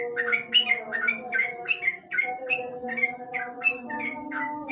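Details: At night beneath a lamp, a sooty-headed bulbul delivers ropel-style song: quick, chirpy whistled notes repeated about three times a second, some rising then falling, with a constant low droning hum and a faint high whine behind.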